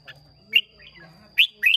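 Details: Red-whiskered bulbul from Hoà Bình, Vietnam, caged in a singing contest: three loud bright slurred notes spaced across a short burst, with a soft low hum beneath.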